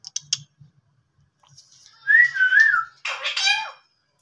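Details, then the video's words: Indian ringneck parakeet, a talking parrot, whistling a smooth wavering tonal phrase, then a louder harsh, rasping burst with layered overtones; a few soft clicks come first. "Ringneck Talking Parrot Natural Sounds"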